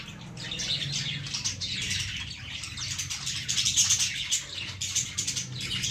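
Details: Busy high-pitched chirping and squeaking from baby lovebirds in a plant, with rapid overlapping notes building slightly louder midway, and a low background hum.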